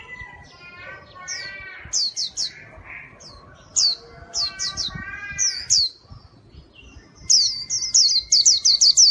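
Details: White-eye singing energetically in a recording made for luring wild birds. Rapid runs of high, sharply falling whistled notes alternate with lower, buzzier harmonic chatter, ending in a dense string of piercing notes.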